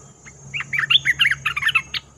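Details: Red-whiskered bulbul calling as a lure for trapping: a quick string of bubbly, warbled notes rising and falling in a jumbled phrase lasting about one and a half seconds, with a steady faint hum underneath.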